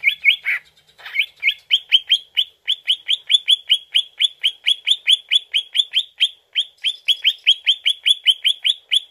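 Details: Greater green leafbird song used as a lure to make the bird answer: a long run of rapid, evenly spaced bright chirps at a steady high pitch, about three per second, after a few rougher opening notes.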